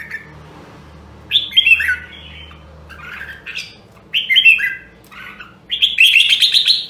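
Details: Rare Nam Đông, Huế red-whiskered bulbul training its voice for competition singing: three bursts of lively, slurred whistled phrases, each a quick descending cluster, separated by short pauses over a low hum.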